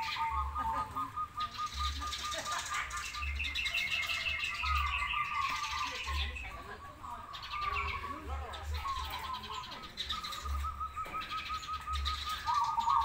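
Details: Crossbred and local zebra doves in a lively singing match: repeated runs of rolling mid-pitched cooing notes, mixed with human voices, higher chirping from other birds and low rhythmic thumping.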